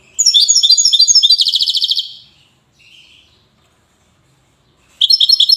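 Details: Widani-type European goldfinch in Safi, Morocco: a dense, rapid jingling trill that fades out, a pause, then a fresh burst of sharp metallic notes.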